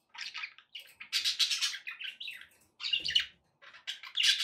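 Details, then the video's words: Pet budgies chirping indoors: busy bursts of warbled, scratchy chatter with quick rising and falling notes, broken by short pauses, one burst after another. "relaxing budgie sounds"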